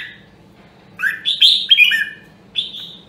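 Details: Red-whiskered bulbul of the Nam Đông, Huế line, in voice training: after a quiet second, a burst of rich warbled notes sliding between low and high, then one more clear whistled phrase near the end; faint low hum behind.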